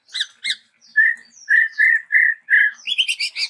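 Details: Chestnut-rumped babbler, a bird endemic to Sumatra, in varied song: opening scratchy notes, then a run of steady clear whistles repeated about twice a second, and closing with a rapid buzzy rattle.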